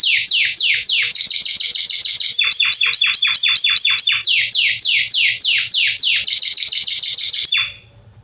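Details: Belgian Salsa canary, a bird said to be ideal for teaching chicks to sing, delivering strong song of sweeping descending whistles repeated about three per second, with a quicker stuttered trill midway, ending abruptly.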